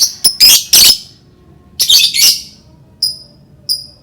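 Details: Lovebird calls aimed at prompting other lovebirds to sing: two clusters of harsh, buzzy squawks, followed by two thin, clear, high whistled chirps.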